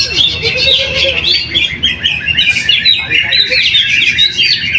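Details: Caged greater green leafbird singing at a weekly practice contest in Jatisumber, Trowulan, Mojokerto, where it took first place; rapid high chirped and warbled phrases, with other birds singing in the background.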